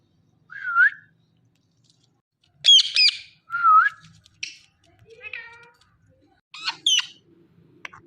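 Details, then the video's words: Pet Indian ringneck parrot said to be saying "Mithu Mithu": separate rising and falling whistled notes and harsh, layered squawks, in short bursts with quiet gaps between them. "Ringneck Parrot Saying Mithu Mithu"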